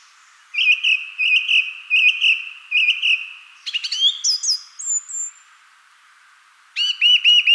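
A song thrush sings a bright, whistled phrase repeated five times in quick succession, then a varied flourish, then another repeated phrase.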